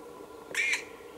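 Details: A black woodpecker (Dryocopus martius) chick begging for food at Ås, Norway, on 25 May 2017 gives a single harsh, rasping squawk about a quarter-second long, over a faint steady hum.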